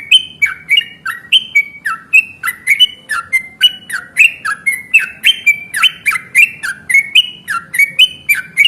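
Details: A yellow-vented bulbul in combative voice, used to lure others into calling back: a steady stream of coarse, bubbly squawks, each note bending up or down, about two per second, loud and close against a near-silent background.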